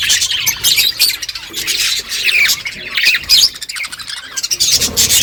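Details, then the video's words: Flock of budgerigars in the morning, talking to each other: loud, continuous, overlapping high chirping and warbling squawks from many birds. "Budgies flocks in beautiful morning 🌄 birds talking to each other"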